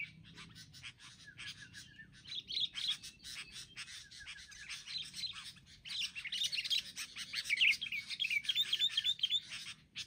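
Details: A group of wild sooty-headed bulbuls ganging up, producing continuous dense chattering and twittering that builds in loudness, with fast repeated sharp notes and short whistled slurs overlapping throughout.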